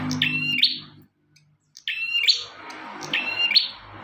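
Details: Bar-winged prinia giving high, piercing phrases, each a steady buzzy tone ending in a sharp upward flick. Phrases come every one to one and a half seconds, with a short silent pause between two of them and a low hum behind.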